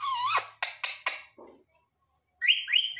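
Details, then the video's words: Pet parrot mimicking words indoors: a harsh squawk-like syllable, three quick clipped notes, a low rasp, then two rising whistled notes. "Parrot talking mithu mithu 😱Mummy papa bolne wala mitthu"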